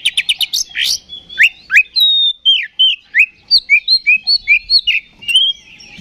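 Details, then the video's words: Oriental magpie-robin song used as a lure to provoke a fighting response in other magpie-robins: rapid buzzy opening notes, then a run of loud clear whistled phrases, mostly slurred downward, repeated in quick succession, with no other sounds. "KACER GACOR NGEPLONG TARUNG !! PANCINGAN KACER PALING AMPUH BUAT MENAIKAN EMOSI KACER AUTO RESPON"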